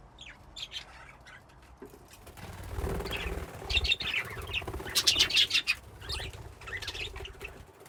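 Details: Several budgerigars in a colony cage chirp and chatter together in quick, scratchy, high-pitched bursts, with wing flutters.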